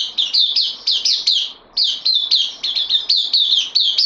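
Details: Caged bulbul recently received on loan repeats brisk, bright falling chirps in a rapid, even rhythm, with one short pause before continuing.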